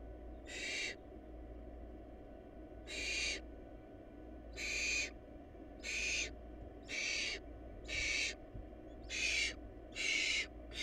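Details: Barn owl nestlings in a family lacking food repeat short, harsh hissing screeches, about nine bursts spaced one to two seconds apart, with a low constant hum behind.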